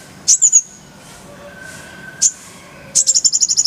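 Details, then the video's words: Kolibri ninja sunbird in a full-fill tutor style with rolling bursts: a few sharp high chirps separated by pauses, ending in a fast, even, high-pitched trill. "Masteran Kolibri ninja full isian, Roll tembakan Suara jernih"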